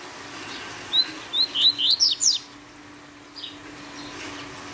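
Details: Double-collared seedeater (coleiro) singing the fast Tui Tui style: a quick burst of six or seven sharp, high chirped notes packed into about a second and a half, then quiet with a steady low hum underneath.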